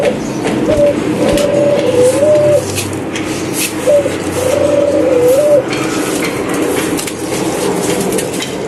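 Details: Caged pet doves calling in the morning: two clear coo phrases near 600, each a short note followed by a longer wavering, dipping coo, spaced about three seconds apart, over steady low room hum.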